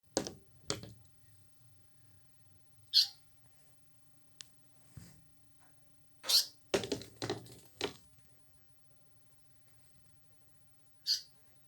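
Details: Indian paradise flycatcher inside a house, giving three short, harsh, rasping calls spaced several seconds apart, with knocks and clattering household thumps between them and a low indoor hum.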